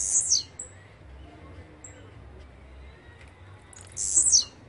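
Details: Blue-black grassquit song: two short, very high buzzy notes sweeping downward, about four seconds apart. Faint thin whistles and a steady low background hum fill the gap.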